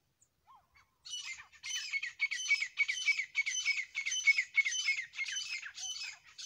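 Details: After a second of near silence with a faint chirp, a Grey francolin pair (dasi teetar) breaks into loud, harsh, high repeated squawks, about three or four per second, a rhythmic ringing chorus running to the end.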